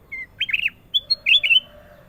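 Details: Sooty-headed bulbul giving its clear, lively song: a short whistle, then a bubbly run of warbled notes, two sharp chips and a final rolling, rising-falling phrase, all loud against a quiet background.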